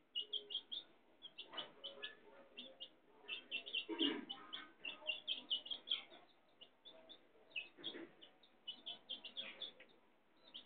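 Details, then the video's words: Hen with her chicks: continuous faint high peeping from many chicks, with a few low hen clucks mixed in, one stronger cluck near the middle. "hen is baby is chicks"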